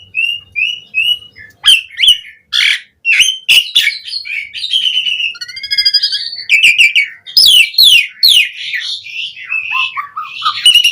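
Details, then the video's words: Asian pied starling in lively varied song, used to prompt starlings into singing: three short level whistles, then mixed chattering bursts, clicks, trilled notes and downward-sliding whistles. "Pancingan Suara Jalak Suren Gacor POWER FULL Variasi Isian Buat Masteran Burung Jalak Agar Cpt Gacor"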